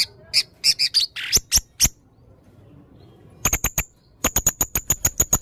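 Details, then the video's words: A blue-crowned hanging parrot, locally red-necked serindit, calling in lively full song: quick high squeaky chips with a brief harsh note, a pause, then sharp ticking notes repeated rapidly in an even series. "burung serindit leher merah gacor full materi variasi"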